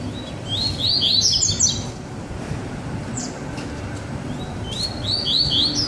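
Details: Two double-collared seedeaters in a baderna song bout: an energetic run of sharp high twittering notes early, a lone note midway, and another quick burst near the end.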